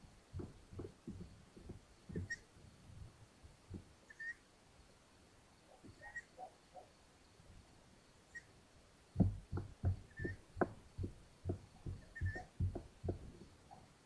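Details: During a mouse delivery by the mother at a long-eared owl nest in Hungary, 13 May 2022: short, high whistles recur every second or two over constant tapping, knocking and rustling that grows busier later.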